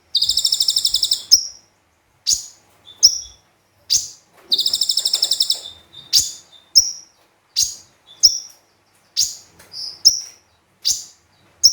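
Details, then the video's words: Konin or brown-throated sunbird in full song with mimicked phrases for tutoring: two long rapid buzzy trills followed by a steady series of sharp high chips about every half second. "Konin Gacor Full Tembakan Kombinasi Gereja Sambung Cililin"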